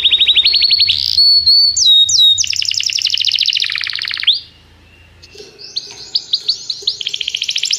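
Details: Singing canary in song training, calling a companion to join: fast rolling trills, high clear whistles, then a descending rolled tour. After a short quiet gap, high rising notes resume over a faint low hum.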